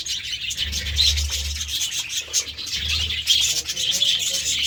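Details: Vegetable-eating budgerigars chatter steadily in high, buzzy twitters with a few short whistled notes, over soft rubbing sounds and an intermittent low hum.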